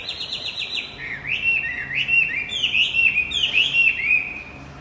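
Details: High warbling song of a Javan white-eye, meant to prompt a silent male to sing: a quick rattle of tight notes, then a string of bright swooping whistles rising and dropping in turn.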